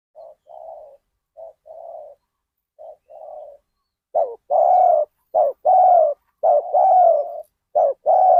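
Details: Spotted dove used as a decoy to lure wild doves at Ban Nong Hin village: soft, low cooing phrases of short and long notes, faint at first, then louder, with coos repeated in close pairs and triplets.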